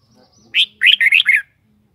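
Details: Song phrase from a kept red-whiskered bulbul: one clear upslurred note, then a fast run of four bubbly, liquid notes. No other sounds are heard.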